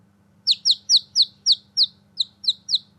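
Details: Newborn baby chicken chicks outdoors peep loudly and steadily, about nine clear high notes each sliding downward, spaced roughly a quarter second apart over a faint low hum.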